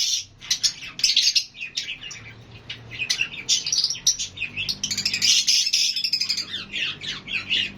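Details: Lovebirds, a flock that includes Fischer's lovebirds and budgies, chirping, whistling and calling to each other: dense overlapping high shrill chirps and rapid chatter run almost without a break, with a faint low hum underneath.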